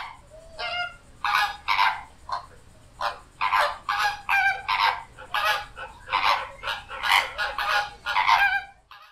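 Flamingos honking in a harsh, nasal, goose-like chorus, several birds overlapping with about two rough honks per second throughout.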